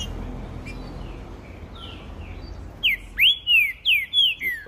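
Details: Caged green-winged saltator carried in a hand-held cage on a street. After about three seconds of low traffic rumble, it sings five loud, clear, slurred whistles that alternately rise and fall in quick succession.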